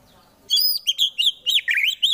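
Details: Caged white-rumped shama in Wonosobo, Central Java, giving rough fighting song used to provoke rivals: a fast string of about seven high, sharp, bright whistled notes with quick pitch flicks, delivered in barely two seconds.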